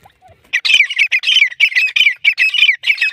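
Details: Female black francolin calling: a rapid, grating series of harsh, scratchy notes, roughly ten bursts in under three seconds, each a quick rasping double chirp, following human laughter at the start.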